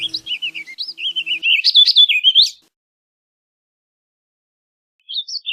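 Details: Warbling vireo delivering a rapid, rambling warble of slurred up-and-down notes lasting about two and a half seconds, then silence before the next phrase begins; a faint low hum sits under the opening.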